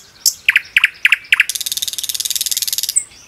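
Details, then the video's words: Common nightingale singing in a forest: a high thin note, four paired chirps, then a fast buzzy rattle about a second and a half long, closing on a high whistle. "singing of a nightingale"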